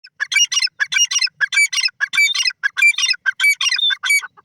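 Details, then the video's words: Grey francolin (teetar) calling in a loud, harsh, rapidly repeated series of shrill notes with rising strokes, about one and a half notes per second, grouped in clusters, with no other clear sounds. "francolin teetar birds voice"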